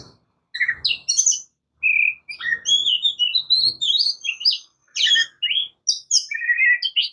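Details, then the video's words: Oriental magpie-robin, known as kacer or murai kampung, singing loud, separate phrases of clear whistles, rising and falling slurs and sharp chirps, with short pauses between bursts and faint low thumps. "Oriental Magpie Robin Singing | Suara Burung Murai Kampung | Bunyi Kacer"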